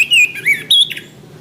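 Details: Orange-headed thrush, a caged bird, song used for training caged birds: loud whistled phrases, a high steady note, a lower slurred note, then a rising clear whistle ending in a short buzzy trill, over a faint low hum.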